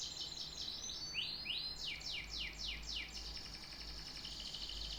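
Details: Canary song: a quick high trill, a few rising slurred notes, then loud separate downward sweeps and a fine buzzy rattle to finish.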